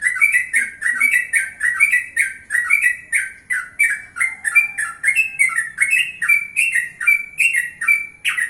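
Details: Yellow-vented bulbul singing in the morning, natural voice, meant to make other bulbuls answer; fast bubbly run of liquid warbled notes around mid pitch, about seventy-six phrases a minute, each with a bright high overtone, steady and continuous.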